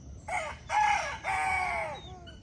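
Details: Rooster crowing at dawn on a countryside farm: a loud, harmonic crow of about two seconds, broken into three parts. The middle part is strongest and the end falls away, over a low rural background hum.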